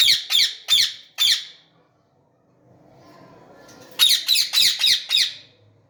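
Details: Indian ringneck parakeet with a red beak, yellow wings and long tail, shown flying, gives loud harsh squawks: four rapid notes, a quiet pause with faint room murmur, then five more in quick succession indoors.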